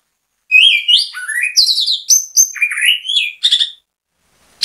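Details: Orange-headed thrush in full song, used as bait to make other orange-headed thrushes sing along: a rapid, varied phrase of rising and falling whistles mixed with harsh chattering notes, lasting about three seconds, then silence.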